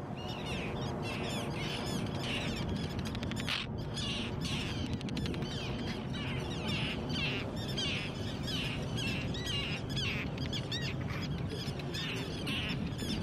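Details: An Arctic tern family of four gives harsh, grating calls that repeat rapidly, with several birds overlapping about twice a second, over a steady roar of wind or surf.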